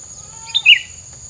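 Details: Bird song: a short two-part chirp with a clipped high note leading into a louder, fuller slurred note, plus a faint low tone and background hiss.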